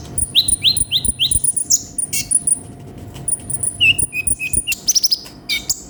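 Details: Olive-backed sunbird (konin), gacor full isian song: thin, very high whistled notes and quick upslurred chirps run together, then a few lower clipped notes and sharp high chips near the end.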